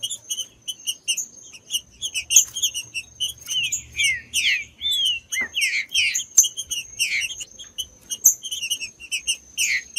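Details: Stimulating song of a green-winged saltator used to warm up a cold bird before tournaments: rich slurred whistles bunched in the middle, one dropping low, framed by quick repeated high chips and a steady high hum.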